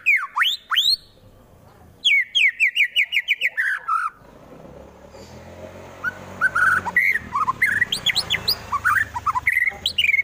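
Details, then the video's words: White-rumped shama fighter, Wonosobo, Central Java, singing aggressive song intended to make rival birds fight: steep swooping whistles, a rapid series of about ten sharp repeated notes, then scattered high chirps over a low rumbling background. "MURAI BATU FULL TEMBAKAN KASAR Sangat Cocok Dijadikan Lawan agar cepat Emosi dan Fighter"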